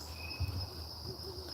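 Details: In foggy, dark, dank woods of the Lehigh Valley, near a roost of at least two Great Horned Owls, one gives a single deep, soft, muffled hoot over a steady high insect trill.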